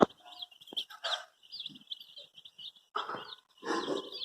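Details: Brightly coloured baby chicks searching for their mother keep up a thin, high peeping chorus, broken by a few louder, rougher bursts and knocks.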